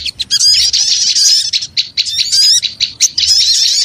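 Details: Small birds used as a lure sound, chattering noisily: high squeaky twitters and bursts of thin rising whistles packed closely together, loud almost without pause, with several brief gaps.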